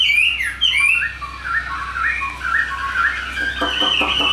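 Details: Chinese hwamei singing indoors, a bird praised for its fine form and good singing: loud slurred whistles rising and falling, then a run of quick rippling notes, with a low hum underneath.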